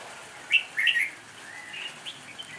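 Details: Red-whiskered bulbul lure bird in improvised fighting song: a few short, bright, fluty warbled notes, then softer slurred whistles, over a steady hiss of background noise.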